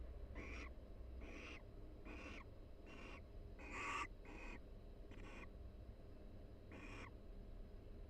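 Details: Relaxed barn owl pair in a University of Florida nest box, soft calls accompanying mutual grooming in breeding season; a run of about nine short hissy rasps, one louder with a faint whistled tone, over steady hum.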